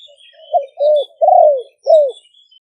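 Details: Caged spotted dove kept as a decoy in Roi Et, Thailand, singing in the competitive exchanging style. Soft lead-in notes give way to three strong husky coos, the longest one drawn out and sliding downward.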